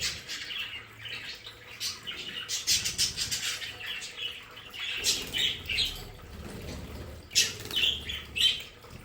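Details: Captive budgerigars in a home play area chirp and squeak in short high bursts, with wing flapping and fluttering in the middle of the stretch.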